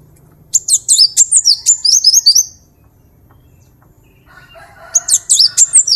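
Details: Cinereous tit song (gelatik batu, wingko) used to tutor birds. A two-second stream of rapid, high, twisting chirps, then silence and a low murmur, then another fast, sharp burst begins.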